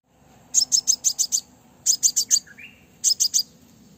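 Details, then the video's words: A female Crimson sunbird (Aethopyga siparaja) gives quick bursts of very high, sharp ticking notes, six at a time then four and three, with a faint lower whistled slide between. The call is used to draw in males when trapping. "Tiếng hút mật mái mồi, Crimson sunbird Female"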